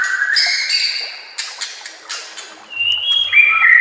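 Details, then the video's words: White-rumped shama singing in a masteran training recording set with nature sounds and gurgling water: rich sliding whistles and quick clicks, then lower clear whistled phrases with a brief high flourish. "murai batu anda dengar suara MASTERAN burung seperti ini"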